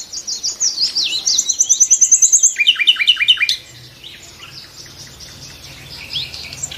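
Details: Nightingale phrase: descending slurred whistles, a rapid high trill of about ten notes, then five loud lower repeated notes, followed by quieter distant twittering.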